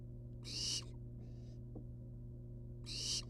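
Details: Wild barn owl nestlings hanging outside their nest box: two loud, harsh, breathy hisses about two seconds apart, with a fainter hiss between them, over a steady low electrical hum.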